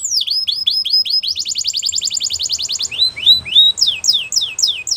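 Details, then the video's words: Spanish Timbrado canary in a training song: repeated falling whistles, a fast high rattling roll, then rising and falling sweeps repeated about three times a second. "Spanish Timbrado Canary | Canary Training Song"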